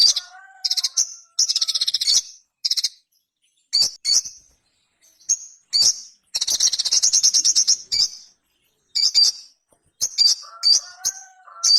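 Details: A ruby-cheeked sunbird produces high-pitched, scratchy chirps and several fast, buzzy trilled runs, separated by gaps. Quieter, lower gliding whistles are heard at the start and end.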